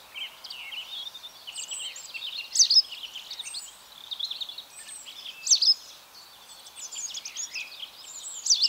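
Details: White wagtail at Mønsted on 27 March 2020 giving quick, high, chirpy twittering notes in loose bursts, with sharper accents every few seconds over a faint background hiss.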